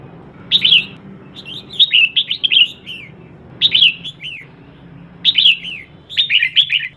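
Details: Red-whiskered bulbul female, calling to excite males, gives clusters of clear slurred notes, each swooping down in pitch, in four short phrases separated by about a second of quiet; low background hum.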